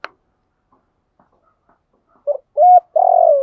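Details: Trained decoy spotted dove calling in the 'thúc gù' style to lure and provoke wild doves; after near silence, a short coo, a steadier held note, then a longer slightly falling, wavering coo.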